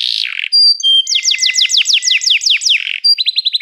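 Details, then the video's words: Canary song opening with a buzzy burst and pure whistled tones, followed by a rapid series of sharp falling sweeps and a quick trill at the end. "toque imediatamente este encantador som de canário"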